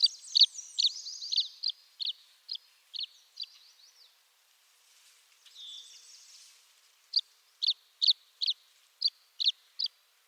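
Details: Tree swallow with a burst of rapid, liquid twittering and chirps, a quiet gap with a soft slurred whistle, then evenly spaced sharp chip notes about twice a second.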